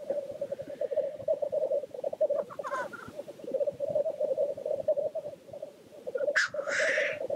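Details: Continuous soft bubbling from displaying black grouse at the lek fills the background, with faint chatter and, near the end, one loud sharp hiss rising into a rushing sneeze.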